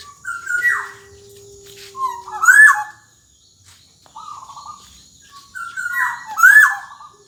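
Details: Black-naped oriole singing gacor dor jonbreak, a tutor song for young orioles: two matching phrases about four seconds apart, each a fluting whistle sliding into a rising buzzy flourish, with a quieter whistle between them.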